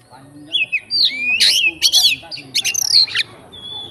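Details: Oriental magpie-robin, a fighting bird, singing to provoke others of its kind: a burst of slurred whistles, harsh buzzy notes and a quick rattling trill, ending with a thin steady whistle.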